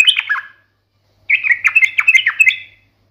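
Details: Sharp, fighting-style chatter of an energetic sooty-headed bulbul, intended to provoke other birds into replying. A brief twittering phrase is followed by a pause, then a run of about ten quick, scratchy, bubbling notes. A faint hum runs in the background.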